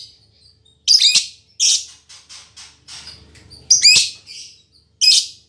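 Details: Female lovebird with a fighter temperament, described as very vocal and equal to males, giving loud, harsh, high-pitched squawking bursts separated by short pauses, with softer chirps and faint low background rumble between them.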